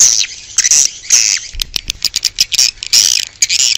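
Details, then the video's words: High, rasping chirps and trills from swiftlets outdoors, a calling sound for attracting swiftlets; longer buzzy notes open and close the clip, with a quick stuttering series of short ticks in the middle. "Âm thanh chim yến ngoài trời - Âm thanh gọi chim yến"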